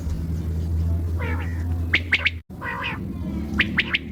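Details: Common quail heard at night: two bursts of crisp triple notes, each preceded by a harsher nasal sound, over a loud low hum.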